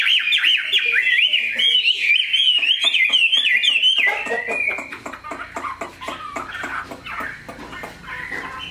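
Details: Caged purebred Chinese hwamei sings a lively rolling whistle of quick up-and-down notes for about four seconds, then softer scratchy chatter and clicks follow over faint low noise.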